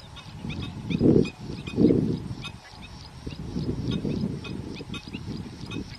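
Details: Garganey duck producing two loud, raspy low bursts followed by softer rattling notes, while thin high chirps from other birds continue throughout.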